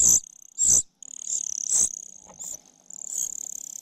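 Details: Common cuckoo chick begging from its foster mother, failing to get food; two loud shrill bursts, then fainter drawn-out high wheezes with a faint buzzing underneath.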